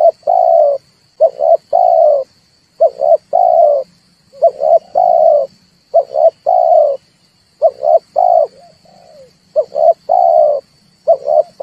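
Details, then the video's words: Trapping lure of red turtle dove calls: a run of low hoarse coo phrases, each two quick notes followed by a held note, coming steadily about every second and a half, with a faint constant high tone underneath. "tiếng chim cu ngoi dùng cho kich chim hót dùng để bây"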